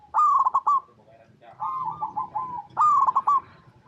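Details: Local zebra dove, or perkutut, in its natural habitat, cooing to draw replies from other zebra doves; a sharp trilled coo, a lower soft rolling middle phrase, then a second bright stuttering coo.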